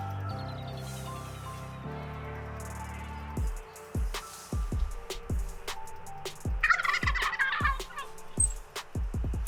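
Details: Adult male wild turkey approaching a decoy on a cold spring hunting morning in Utah; one brief rattling gobble sounds midway, partly covered by loud music with pounding, evenly spaced beats.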